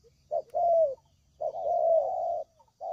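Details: Spotted dove calling as a trapping lure: two long, mellow, low cooing notes, the second about a second long, each slightly falling at the end, framed by short softer coos, over quiet background.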